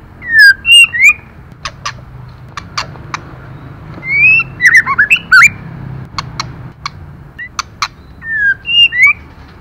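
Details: Female white-rumped shama singing to stir up males: bursts of slurred whistles rising and falling, mixed with sharp clicks, delivered in three quick bouts about four seconds apart, with a low hum underneath.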